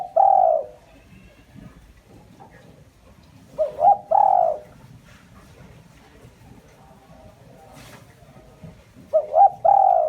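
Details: Spotted dove decoy calling to stir up wild doves: three soft hooting coo phrases, each a short stuttered note and then a longer drawn-out coo, spaced a few seconds apart over quiet low background rumble.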